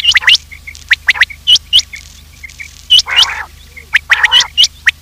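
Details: Quail sounds used as a lure for hunting quails: rapid high sharp chirps and clipped whistled notes, broken by a couple of buzzy, nasal harmonic bursts.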